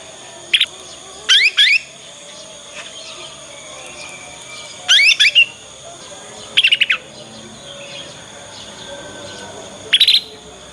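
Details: Juvenile Yorkshire canary learning the ngriwik sound, used to coax other canaries to answer and copy. Short bursts of rapid sweeping high notes come every second or two, separated by quiet gaps.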